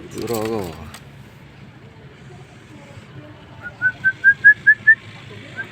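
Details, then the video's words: Starling (jalak) in a masteran song recording: after a brief burst of human speech, six clear whistled notes follow, stepping slightly upward in quick, regular succession. "Masteran hari ini burung jalak gacor"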